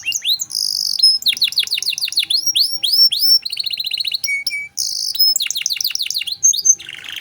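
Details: Canary in full gacor song with luxurious cengkok phrasing, used as a masteran tutor for young songbirds: rapid high sweeping notes repeated in fast trills, buzzy rattles, brief steady whistles near the end.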